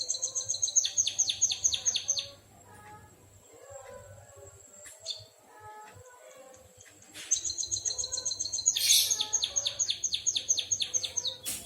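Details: White-headed munia singing in a canary-like style, described as a lively gacor singer: rapid series of high, thin chirping notes repeated in bursts, pausing mid-clip with faint background noise, then resuming with a long fast trilling run.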